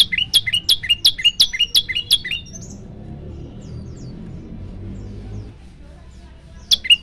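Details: Fast run of around eight loud, rising chirps from a prinia (prenjak lumut), followed by a soft high note, several seconds of low background noise, and one final chirp.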